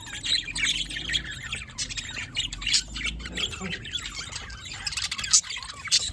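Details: Several budgies chirping on 27 October 2023: rapid high twitters and scratchy warbles layered together, punctuated by brief sharp squeaks near the end.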